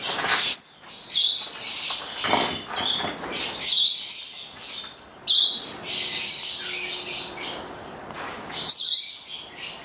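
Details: Papuan lorikeet pair (goliathina), nine months old, Italian-bred and caged; harsh, high screechy squawks in loud bursts separated by quieter gaps, with a sudden sharp outburst midway.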